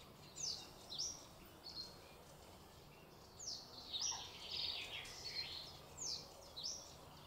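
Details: Common reed bunting filmed from a bird hide in the Spookverlaat polder nature area near Alphen aan den Rijn, Netherlands: faint high chirps, a short stuttering phrase of sharp notes, then scattered thin descending notes over steady background noise.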